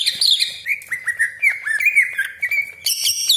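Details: Greater green leafbird 'tembakan' song meant to stir other leafbirds into singing: a fast string of short whistled slurs on a steady pitch, ending in a burst of very high chattering notes.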